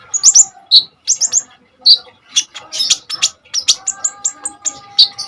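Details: Common iora in energetic, nonstop song with sharp bursts, used as a tutor for untrained kolibri ninja birds: dense high chirps and short trills, mostly very high-pitched, in quick irregular bursts with brief gaps, over a faint steady low hum.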